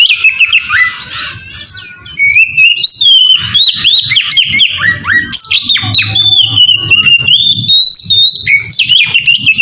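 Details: Melodious ngeplong song of an Oriental magpie-robin, played as a lure to make other magpie-robins sing; a continuous stream of loud whistles, chips and slides, steady and lively almost throughout.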